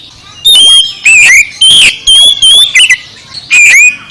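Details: Oriental magpie-robin singing loudly: clear whistled notes and slurred phrases, some falling, others rising, given in short bursts about half a second long with brief pauses between them.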